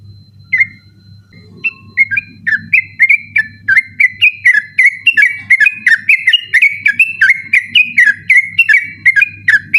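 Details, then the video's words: At night a sooty-headed bulbul sings insistently, recorded to train other contest birds: scattered whistles build into a fast steady series of bright, slurred two-part notes, with a constant low hum underneath. "burung trucukan ropel ngotot dimalam hari cocok buat masteran ropel malam"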